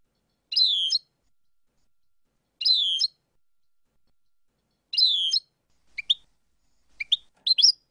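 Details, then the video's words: European goldfinch song passage from a compiled tape: three drawn-out, buzzy, descending twittered notes about two seconds apart, followed by quicker sharp two-note chirps. "goldfinch songs - (chants) - شريط كامل تغريد مقاطع الحسون"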